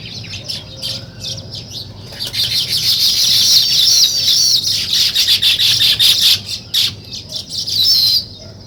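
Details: Weaver birds busy building a nest, starting with scattered chirps that swell into loud, rapid, overlapping chatter of squeaky high notes, easing into broken twittering bursts toward the end.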